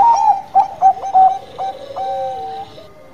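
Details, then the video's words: Bangkok perkutut, a zebra dove, singing eagerly: three or four quick, bouncy coos give way to a long, smooth note that sinks gradually in pitch. "PERKUTUT BANGKOK GACOR"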